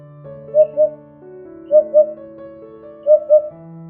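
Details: Eurasian hoopoe (Upupa epops), call.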